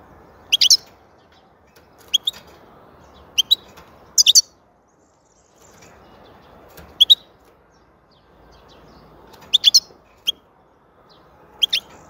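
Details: Repeated short, high, metallic twitters from a European goldfinch, in pairs and small clusters spaced irregularly every one to three seconds, with brief full silences between.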